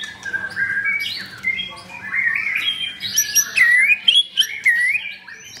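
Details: White-rumped shama in a cage in Kemayoran, Jakarta, singing a rambling series of chirps and slurred whistles that climbs to clear, ringing looped notes near the end.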